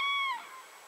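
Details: Common crane at 52.196522, 19.804122 giving a single loud, brassy trumpet note that holds level and then slides down, fading quickly into quiet hiss.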